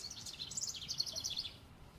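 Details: A House Wren sings its constant bubbling breeding-season song, a rapid jumble of high notes tumbling downward over about a second and a half, with faint background noise.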